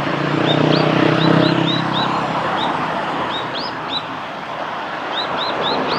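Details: Japanese waxwings in Hiratsuka, Kanagawa, Japan, recorded 14 February 2021; thin, high, arching trilled notes given repeatedly in short series, under loud continuous traffic rumble.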